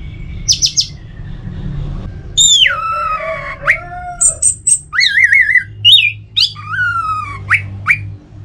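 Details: Orange-headed thrush kept caged at home in North Bali, Indonesia, giving a rich varied song: a short high trill, long falling whistles, wavering warbled notes and sliding slurred phrases, loud over a low steady hum.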